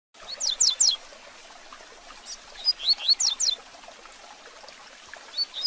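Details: Rusty-collared seedeater singing the fast 'tui tui zel zel de fibra' song style, used for training and teaching young birds: high, sharp descending whistled notes in quick bursts, two phrases about two seconds apart, with a faint trickling background.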